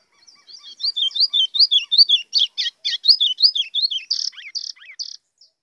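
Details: White-throated Seedeater singing an azulão-style song, used as a call to stir birds up: a fast, high song of slurred whistles and buzzy notes, ending in a few harsh rasping phrases.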